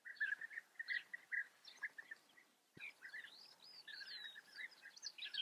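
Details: European bee-eaters at a colony in the Eifel, Germany: short rolling trilled calls repeated in quick bursts, then a brief sharp knock and more overlapping calls mixed with thin higher chirps.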